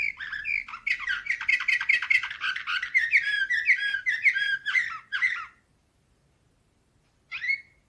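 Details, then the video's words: Slavujar-type canary song recorded in 2024, a loud fast rattling warble of trills and slurs lasting over five seconds, then silence, then one final sharp whistled note. "Uccello dell'usignolo delle Canarie Slavujar"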